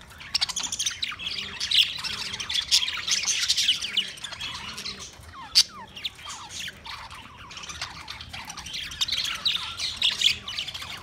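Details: Many budgerigars, Australian parrots, recorded on 13 March 2024, warble and chirp continuously; quick downward-slurred whistles and harsh squawks rise out of the flock chatter, with one sharp click near the middle.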